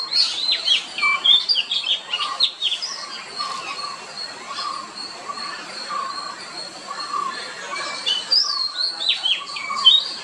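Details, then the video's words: Oriental magpie-robin song with sweet whistled phrases and quick slurred notes, loudest at the start and again near the end. A constant high buzz and a low repeated pulsing note continue underneath. "Beautiful Song of Oriental Magpie Robin"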